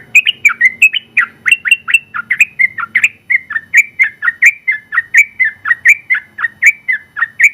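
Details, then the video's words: Champion sooty-headed bulbul giving a long 'ropel panjang' song. Rich, bubbly whistled notes tumble up and down in a fast, unbroken stream of about twenty phrases, over a quiet background. "Suara Burung Trucukan Gacor ropel panjang"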